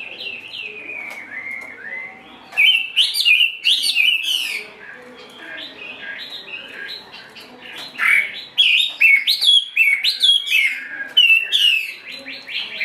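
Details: Partly wild-caught Chinese hwamei in a cage, spreading while it sings: rich, varied whistled phrases with swooping slurs and trills, a quieter gap in the middle, then bursts of loud, rapid, jumping notes.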